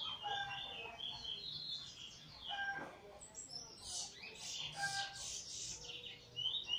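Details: Eurasian bullfinch newly out of molt, recorded 1 January 2022 singing weet teeture and flute roll: a mix of high whistles and lower tonal notes, then a burst of dense, bright chirping toward the end.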